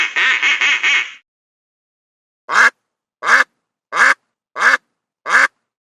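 A duck gives a quick run of four rasping quacks, then five single nasal quacks spaced under a second apart.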